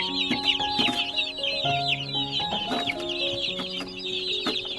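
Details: A large crowd of baby chicks, about a hundred, peeping nonstop in a shrill, overlapping chorus while sustained background music notes shift beneath.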